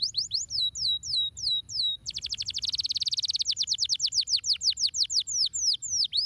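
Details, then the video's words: Canary singing: a string of clear, sharply descending whistled notes, then a fast, even trill of rapid repeated notes that slows again into sweeping downward whistles. The background is quiet apart from a faint low hum. "o canário cantando diretamente"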